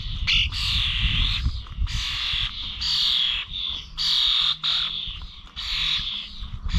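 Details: Common starlings recorded on 21 November at Corby old village bird feeders: continuous harsh, hissing, grating calls in long bursts, with strong low rumbling background noise throughout.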